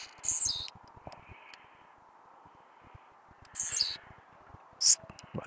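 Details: Blue-black grassquit, described as singing at night and agitated, gives short high buzzy phrases that fall in pitch, about three bursts spaced over several seconds, over a steady background hiss with a man speaking.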